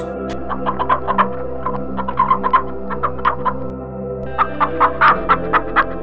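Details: Domestic chicken on a farm clucking steadily in short, clipped, mid-pitched notes, about two or three per second with a brief pause midway, over continuous background music.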